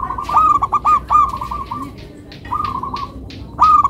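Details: Steady melodious cooing from a local zebra dove, with rolled, bubbling notes repeated in quick clusters, a brief lull, then more trilled phrases and one loud closing note.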